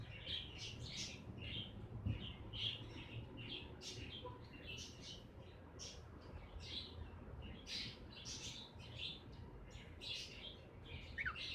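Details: Two cockatiels chatter in quick, bright chirps, several short notes each second, while eating parsley and kale from planter pots in a window garden, over a low background rumble.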